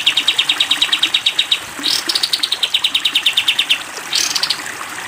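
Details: Sooty-headed bulbul (kapas tembak) in a long 'tembak panjang' volley, used as a training recording for cage birds: a rapid, even series of thin high ticking notes, about eight per second, broken by two brief rising whistles.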